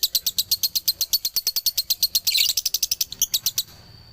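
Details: Male lovebird, Galendo from Ciamis, in dobelan song. Quick, bright chirps rattle off in rapid succession, then a scratchy burst, and the series stops abruptly, leaving a faint high whine.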